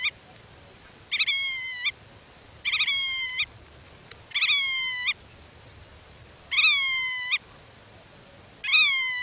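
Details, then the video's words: Godwit of the black-tailed kind guarding its nest, communicating with chicks out of sight in the grass and repelling intruders. Five drawn-out nasal calls, each under a second, spaced irregularly every one to two seconds. "Rycyk w obronie gniazda - Limosa limosa"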